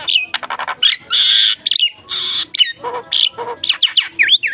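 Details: Javan myna (jalak kebo) training song, densely mixing buzzy sustained notes, harsh rasps, short chips and swooping V-shaped whistles in rapid succession.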